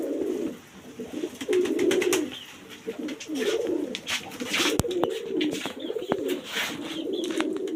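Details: Indoor domestic pigeons giving bursts of deep, throaty cooing that swell and fade every second or two, mixed with sharp clicks, wing flutters and rustling.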